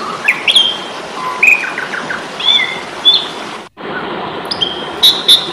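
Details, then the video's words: Asian pied starling singing its fighting song for songbird training: clear short whistles and upslurred notes with pauses, a brief dropout midway, then more whistles and a harsh burst, over faint hiss. "Masteran jalak suren ,pasti tarung.."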